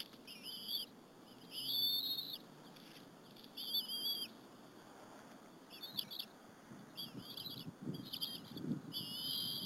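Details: Bald eagle eaglets at the Berry College nest, feeding on a squirrel with their mother one afternoon, 30 April 2015: high, wavering whistled squeals repeated in bursts about every two seconds, with low scraping and rustling beneath.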